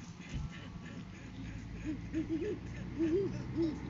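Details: Great horned owl in courting season, a male bringing a food gift to a female, filmed on a live cam on 7 January 2023; faint low hoots with an arched shape, spaced irregularly through the second half, over a steady low hum.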